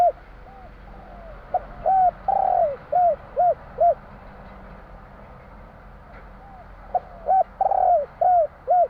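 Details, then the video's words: Spotted dove (tekukur jawa) giving the 'kuk 3' song twice. Each phrase is several short, arched coos around one long slurred coo. A quiet gap separates the phrases, and a steady low hum runs throughout. "Suara tekukur kur 3 besar / burung tekukur suara/Terkukur Kuk 3/ bunyi burung tekukur jawa kuk 3"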